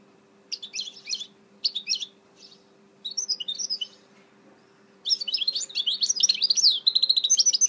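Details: Goldfinch hybrid known as a mule, recorded 2018: short twittering phrases with gaps, then a long unbroken stretch of rapid, high, buzzy warbling and trills, over a faint hum.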